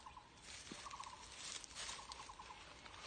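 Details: In a tea garden, a Taiwan barbet gives quick runs of hollow, knocking "kok, kok, kok" notes, like a wooden temple block, heard all day, over a steady hiss of insects.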